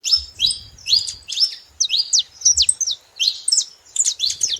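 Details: Wild saffron finches, several birds, singing free in nature: bright chirped notes and short sweeping phrases, many sharply rising or falling, delivered in bursts separated by brief pauses, with faint low rumbling in the background.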